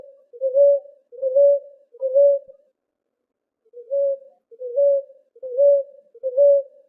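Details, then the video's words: Ruddy ground dove song used to attract and call the birds: low, soft cooing notes repeated in a steady series, one roughly every 0.8 seconds, with a short pause midway. "CANTO PARA ATRAIR E CHAMAR ROLINHA ROXÁ"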